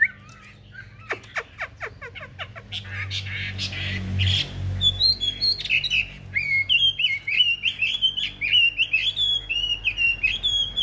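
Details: Caged Chinese hwamei in a fighting display: a few sharp clicking notes at first, then a steady string of bright, repeated upslurred whistles.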